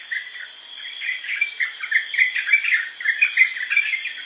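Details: Yellow-vented bulbul giving quick bubbly chirps, short notes tumbling out a few times a second with pauses, over a steady high insect drone.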